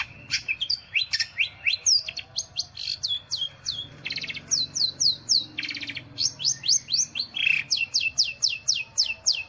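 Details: Long-tailed shrike, or pentet, in loud cendet-style singing: rapid series of high, sharply falling whistled notes, about four per second, mixed with buzzy rattling bursts and varied chirps, continuous and energetic.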